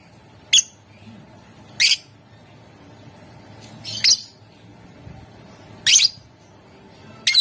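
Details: Lovebird chirps meant to prompt other lovebirds to sing: short sharp high squawks spaced one to two seconds apart, five bursts, over a low steady hum.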